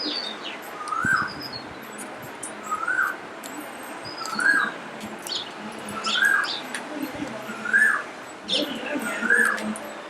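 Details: Parrot filmed in the morning with natural sound: a loud, screechy rising-falling call repeated about every one and a half seconds, six times, with softer high chirps from other birds behind.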